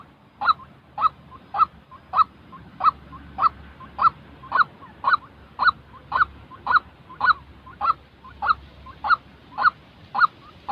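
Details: Real white-breasted waterhen call, played to train decoy birds for trapping: a harsh, nasal note repeated nearly twice a second, about twenty even strokes, over a low background hum.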